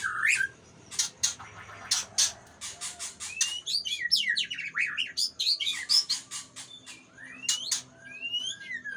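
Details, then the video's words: White-rumped shama of the Aceh type in a relaxed, showy mood, delivering sharp clicking bursts and quick high whistled slurs, then rapid varied phrases with upward sweeps, clicks and rattles filling the whole stretch. "Murai Aceh # SMBF Lagi bergaya manja"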